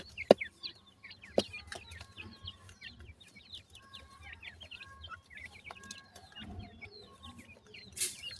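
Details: Grey francolin chicks offered for sale in Multan, Pakistan, peeping together: rapid, high, slurred chirps from several birds overlapping continuously, a faint steady hum underneath, and a few sharp knocks and a brief rustle near the end.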